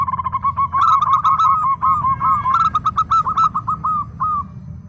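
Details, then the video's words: Local zebra dove in lively song: fast, irregular rolling coos with little upward flicks, speeding and slowing, over a steady low rumble with sharp higher clicks. "PERKUTUT LOKAL GACOR"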